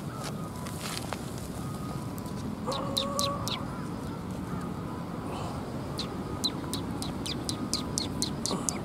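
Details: Several sparrows coming to be fed at a Tenmangu shrine on 8 October 2021: short, sharp, high chirps in quick irregular runs, densest toward the end, with a brief lower drawn-out call midway over steady traffic rumble.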